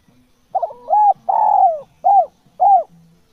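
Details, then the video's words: Natural spotted dove calling steadily: a broken double coo, a longer flat coo, a drawn-out falling coo and two brief rounded coos, ending with a faint low hum. "SUARA TEKUKUR GACOR JOSSS AMPUH TEKUKUR ALAMI"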